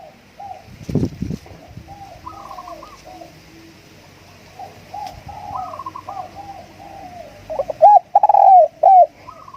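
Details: Spotted dove calling as a decoy: a long series of faint, evenly spaced coos with occasional higher notes over a low hum, ending in a few loud, ringing arched coos.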